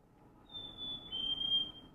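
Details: A black-capped chickadee recorded in winter whistles its clear two-note song, a long high note followed by a slightly lower one, over faint room hum.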